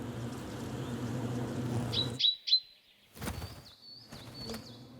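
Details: Great tit in a central European forest, looking for a nesting site, gives short high chirps, then thin whistled notes that dip and rise, after a low buzzing hum and a few sharp knocks; a viewer thought it looked more like a chickadee.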